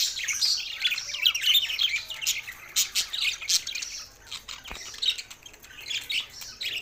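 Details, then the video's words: Several budgies singing together, a rapid, scratchy warbling chatter of squawks and tweets, loudest in the first three seconds, then quieter with a single sharp click. "Budgies Sounds for Lonely Happy singing"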